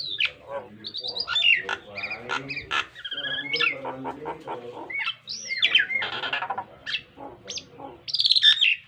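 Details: Varied Nias hill myna song used as a training model for captive mynas, full of clear high whistles, rising and falling slurred notes, sharp clicks and harsh squawks, strung together rapidly with brief gaps.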